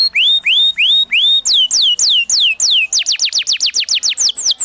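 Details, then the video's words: Canary master song: clear upslurred whistles repeated evenly, then slurred descending notes, then a quicker series of falling chirps, for young canaries learning the ngriwik sound. "PANCINGAN Kenari GACOR NGEROL Masteran Ampuh UNTUK KENARI PAUD BELAJAR BUNYI NGRIWIK"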